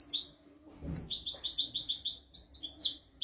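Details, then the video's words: European goldfinch, a tutor recording for teaching goldfinches and canaries, singing a bright series of high, tinkling, twittering notes in quick succession with a short buzzy trill, over a faint low hum. "تغريد طائر الحسون ملكي حفاضة لتعليم طيور الحسون والكناري"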